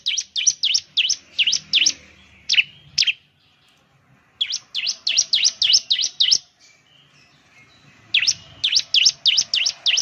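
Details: Bar-winged prinia (ciblek) lure song, used to get other birds singing: bursts of rapid, high, sharply looping chirps, about five a second, separated by short pauses.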